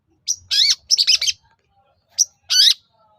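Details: Loud harsh chattering phrases with rising slurred notes from a long-tailed shrike. The song is used to coax other shrikes to answer, and comes in two bursts separated by a short silence.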